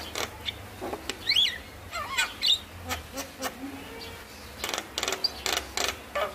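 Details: Javan myna song used as a lure to stir lazy mynas into singing: scattered sharp chirps, a few short rising and falling whistles, and clicky notes, loosely spaced over a quiet background hum.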